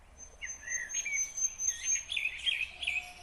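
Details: Short stretch of nightingale song from Kyrgyzstan, 2020: wavering, warbled whistles sliding up and down, with a thin high sustained tone running above them.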